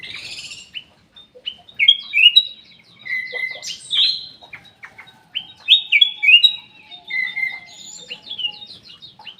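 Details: Black-capped bulbul in an aviary, singing actively: short whistled and slurred phrases come in separate bursts every few seconds, with scattered thin chirps between them.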